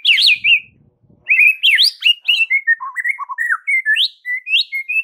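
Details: Masteran song of a white-rumped shama (murai batu): loud, rapid, continuous string of varied whistles, some rising, some dropping into lower warbled notes, with barely a pause after a brief opening burst.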